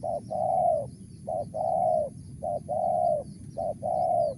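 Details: A wild spotted dove, known locally as tekukur, in mersik voice, repeating a clipped coo followed by a long level coo, four times in steady rhythm over low-frequency hum.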